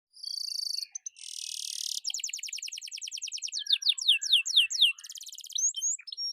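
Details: Canary song from a lively singing bird used as a prompt to get quiet birds singing: buzzy rasping bursts, then fast rolling trills of repeated downslurred notes, changing tempo, with a brief flat buzz near the end.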